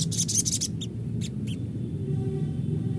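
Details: Sogon, used as a lure to prompt another bird to sing and reply: a rapid burst of high, bright chirps, then a few short separate notes, over a steady low hum.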